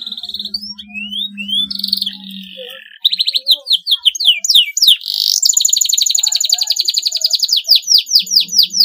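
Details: Singing canary whose long song is said to make rivals join in: scattered high whistled slurs with a low hum beneath, then a loud stretch of rapid, rattling high trills and rhythmic chirped notes.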